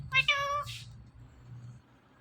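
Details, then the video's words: Talking Indian ringneck parrot: two quick nasal, harmonic meow-like syllables in the first second, followed by a breathy burst, then only low room hum. "Compilation Of Two Best Talking Parrots"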